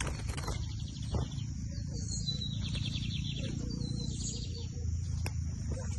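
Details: Bigodinho, the lined seedeater, recorded during a Brazilian song tournament season of 2023: short bursts of high, rapid trilled and whistled notes repeated across several seconds, heavily masked by loud low-pitched background noise and clicks.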